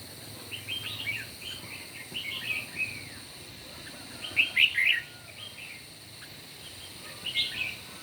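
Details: Red-whiskered bulbuls singing against each other in the morning. Short, bright, warbled whistle phrases come in clusters, with the loudest rapid burst midway and another near the end. A constant faint high whine runs underneath.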